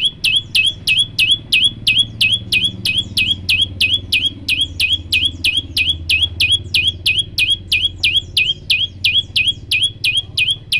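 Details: Tutor recording of a prenjak lumut (olive-backed tailorbird) in its long 'tembakan' song, a sustained burst of one breath: some thirty-three clipped, high whistled notes, each falling then held, machine-like and regular, over a faint low hum.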